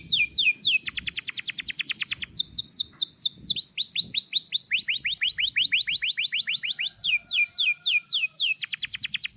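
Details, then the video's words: Canary singing to prompt other canaries: long, dense chains of sharp descending chirps, several per second, running almost without pause, with a faint low murmur beneath. "suara kenari gacor panjang AMPUH,, PANCINGAN KENARI AGAR BUNYI"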